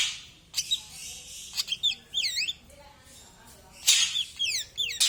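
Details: Male ashy drongo: scratchy rasping bursts interleaved with looping, warbled whistles and rapid downslurred chirps, the harsh and clear notes alternating through the phrase.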